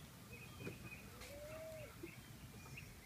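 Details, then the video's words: Ringneck dove giving a single smooth, level coo that rises slightly and then drops at the end. It lasts about half a second. Faint chirps of other small birds sound in the background over a low rumble. "Ring Neck Dove"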